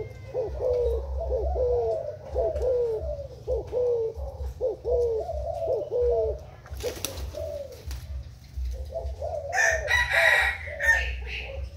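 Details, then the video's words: Spotted dove used as a Thai-type decoy, recorded 10 April 2018: rapid runs of mellow, falling coos, interrupted midway by a sharp rustling knock, then a harsh noisy burst over the final coos. "Cu gáy mồi úp thailand"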